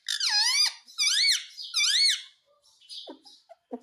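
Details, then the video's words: Pet talking parrot saying "mummy" (mami) indoors in a small room: three loud, squeaky, harmonic syllable groups, each bending down then up, repeated about every second, followed by faint clicks and quiet rustling. "Talking parrot - mummy bolne wala tota"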